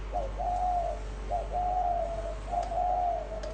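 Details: Spotted dove in the cooing style known as gáy gù: three clear, low, hooting coo phrases, each a short note followed by a longer drawn-out coo, spaced roughly a second apart over steady background hiss.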